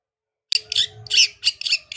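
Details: Long-tailed shrike in lively, full-repertoire song: after a half-second silence, a run of harsh, scratchy bursts and short rasping notes, closely spaced, with a faint steady low hum underneath.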